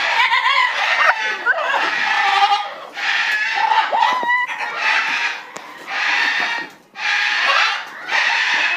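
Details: Ruby macaw cackling in a manic laugh: coarse, grating bursts of about a second each, separated by brief pauses, with a few whining tonal notes between them.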